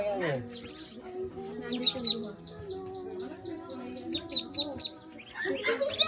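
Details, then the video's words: Farm ducklings in the Philippines peep in shrill, short notes, a run of repeated chirps in the middle, with a human voice briefly at the start and end and faint music behind. "Cute Little Ducklings"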